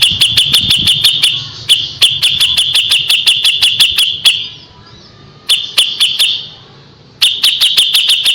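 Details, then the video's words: Kapas tembak singing in top form, used as a tutor song for white-rumped shama: rapid, sharp, high piercing notes fired in quick bursts about three a second, with brief pauses between runs. "KAPAS TEMBAK GACOR JEDA RAPET"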